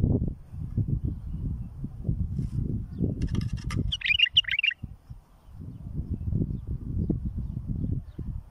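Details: Bulbul tutor song for fledglings: crackling clicks lead into a brief warbling phrase of bright, rolling notes lasting under a second, amid heavy low rumbling before and after.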